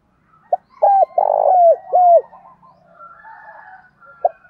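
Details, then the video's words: Spotted dove male and female calls, played to prompt captive doves to call: a short coo, then several loud, fairly level cooing notes, each dropping at its end, in an uneven run. A softer warbling bird chatters faintly afterwards. "tiếng chim cu gáy kích bổi hiệu quả hàng ngày"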